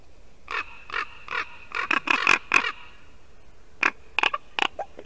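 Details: Ravens at a Latvian white-tailed eagle nest, early December 2019, morning: an uneven string of gruff croaking calls building to louder rasps, a pause, then several more sharp harsh notes.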